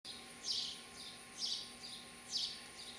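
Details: House sparrow chicks in a bird house, with parents raising them, in Lenexa, Kansas, 27 July 2012, give high, harsh chirps in bursts about once a second, each followed by a softer echo-like note, over steady hiss.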